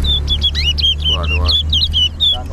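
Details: Chestnut-bellied seed finch, or towa towa, singing in a race at Harbour Bridge: a rapid chain of high whistled twitters with a brief buzzy burst midway, over a constant low engine-like hum.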